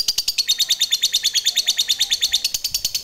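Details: Fighter lovebird giving its long ngekek chatter, meant to provoke other lovebirds: a fast, steady run of high, harsh repeated notes, several per second, without a break.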